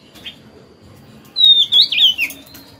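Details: A wild-caught Oriental magpie-robin, caged two years, that sings as soon as it is hung up, gives a clear, high whistled phrase slurring downward over about a second, after a brief faint note, with a few soft clicks.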